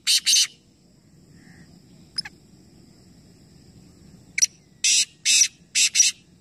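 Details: Black francolin from a calling competition of three birds at Nawabshah, Pakistan. Two rough grating notes open, a long quiet stretch follows with a faint tick, then a sharp note leads into four harsh rasping blasts in a steady run.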